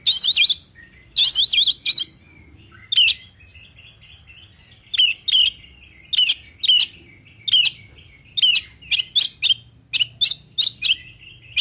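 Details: Oriental magpie-robin singing full song meant to provoke other birds to answer: loud, sharp zigzag whistled bursts repeated in quick clusters, with brief steady whistled tones between notes.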